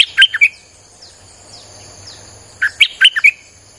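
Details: Streak-eared bulbul song used to attract wild birds: two bouts of rapid chirping notes, each about half a second, separated by a two-second gap with faint thin chirps and a continuous high whine.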